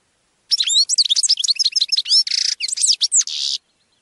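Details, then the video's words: European goldfinch song used to train captive birds: a dense three-second burst of quick tinkling twitters, slurred notes and two harsh buzzy notes near the end. "Canto de jilguero para educar /Goldfinch singing /Chant du Chardonnet Élegant"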